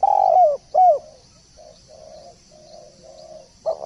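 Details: A spotted dove calls for a tutor recording in full song (gacor): two loud arched coos open, soft murmuring coos follow, and another loud coo begins at the end.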